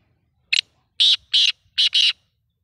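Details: Kala teetar, the black francolin, calling with loud rasping bursts: a clipped opening note, two drawn-out grating notes, then a tight double note, over a quiet background.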